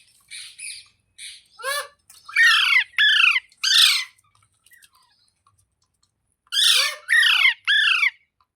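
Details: Green parrot calling: quick, falling squawks and chirps in clusters, some high, bright notes, with short silent gaps between bursts.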